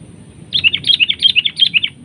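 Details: A sooty-headed bulbul clashes with a decoy during trapping. Rapid, evenly spaced sharp chirps, about a dozen in a row, each with a quick downward slur.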